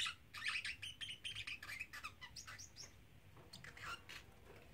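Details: A 3-month-old male pet parrotlet chatters in quick, high, scratchy chirps and squeaky phrases, several bursts each second, over a faint low hum; he is said to repeat phrases like 'Silly Birdie Bird' and 'Do you want to come out'.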